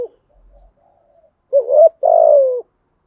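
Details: Spotted dove cooing in the 'giọng thổ' voice with the 'thúc gù' pattern: after near silence, a short rising coo, then a longer, slightly falling, throaty, vibrating coo. No other sounds.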